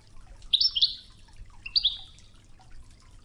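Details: Wedani-style European goldfinch song from a training tape with river water sounds, Tougza phrase: two quick bursts of high, twittering, slightly buzzy notes a second apart over a soft, constant background of running water.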